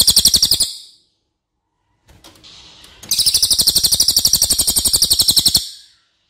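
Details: A cililin used as a tutor bird sings fast runs of loud, high, sharp chirps, about four per second, with a brief pause and some faint rustling between two bursts.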